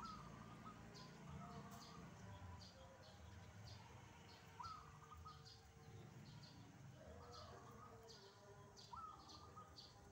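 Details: Wild zebra doves singing actively in the morning, with more than one bird present: repeated phrases of a rising note and quick pulsed coos every two to three seconds, against a background hum.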